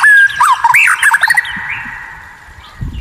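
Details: White-rumped shama in a rare-song training recording meant to anger rivals: a brief clear whistle, then a fast jumble of warbled looping notes fading into quiet.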